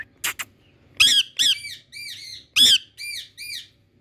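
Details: Indian ringneck parrot from India giving a quick series of harsh screeches followed by repeated arched, nasal chatter notes, about eight calls in four seconds, quiet background.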